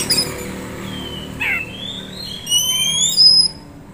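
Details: Kept young Oriental magpie-robin, a contest prospect, sings a quiet phrase of thin, very high whistles, some sliding and overlapping, after a short scratchy note in the middle.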